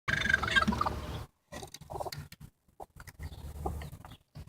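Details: A broody bantam x bearded silkie hen guarding her eggs gives a harsh, rasping growl to scare a person away, then a string of short, choppy grunts and clucks in quick, uneven bursts.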